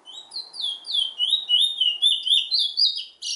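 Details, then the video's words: Chestnut-bellied seed finch, known in Trinidad as the bullfinch, singing a rapid run of sweet whistled slurred notes, rising and falling in a steady warbling stream, about four notes a second. "Trinidad bullfinch MUSIC"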